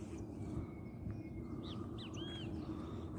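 A great kiskadee gives three quick arched notes, the last one longer and drawn out, over a steady low rumble of background noise.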